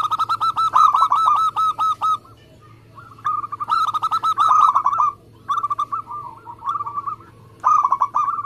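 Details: Local zebra dove in lively contest-style song, fast and tight, used as a lure to prompt other doves to sing: rapid trains of short clipped cooing notes in bursts of about two seconds, separated by brief pauses, over a faint low hum.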